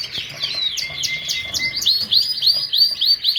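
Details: Lancashire canary delivering quick downward-slurred chirps over a thin sustained whistle, then rapid rising ringing notes repeated several times a second.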